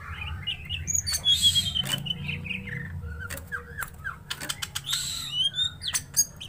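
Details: Greater green leafbird, a kept bird being tested for fighting spirit and provoked to sing against a rival, pours out a rapid, varied run of sharp whistles, chips and buzzy notes, high and mimic-like, with brief pauses; a low hum underneath.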